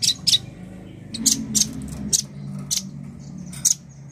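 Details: Male nuthatch repeating short, piercing high notes at irregular intervals, about eight in four seconds, over a steady low hum and murmur in the background.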